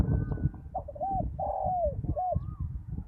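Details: Spotted dove used as a decoy on open ground after a storm, giving a clear three-part coo: short note, long drawn-out middle note dropping at the end, then a short closing note, over low rumbling background.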